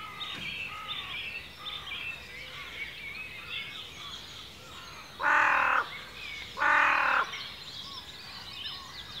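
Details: Ancient woodland in Cornwall, UK: scattered bird chirps and warbles, then two loud, raspy, caw-like calls about a second and a half apart, with the chorus continuing behind them.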